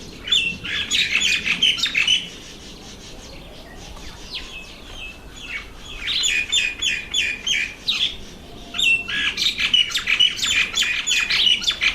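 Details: Red bishop in breeding season around bulrushes over water: loud bursts of dense, sizzling, buzzy chattering lasting two to four seconds, separated by quiet gaps, with a faint lower rising whistle in between.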